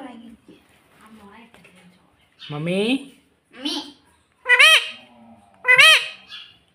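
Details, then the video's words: Indoor pet parrot imitating mummy papa: soft low mutters, then louder voice-like syllables and two sharp high squawky notes about a second apart, with quiet room background. "parrot talking mummy papa || mummy papa bolne vala parrot"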